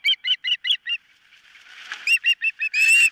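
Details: An osprey at its nest, from a nest camera on 4 September 2023, gives five quick whistled chirps, then a brief rushing noise, then more chirps ending in a longer harsh, strained note.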